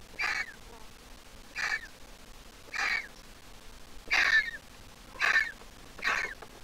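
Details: Griffon vulture chick, hatched April 2023 and ringed at 96 days, still squeaking when grown. Six separate scratchy squeals, each falling slightly at the end, come at steady intervals.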